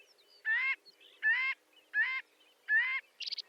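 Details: Marbled godwit (Limosa fedoa) shorebird giving four evenly spaced, nasal, rising calls about every 0.75 seconds over a low steady background hum, ending with a brief buzzy burst.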